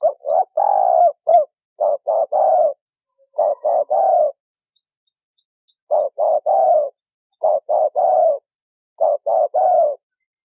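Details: Female spotted dove calling to stimulate a male: repeated phrases of rough, low coos, each a quick double note followed by a longer falling coo, with short pauses between phrases.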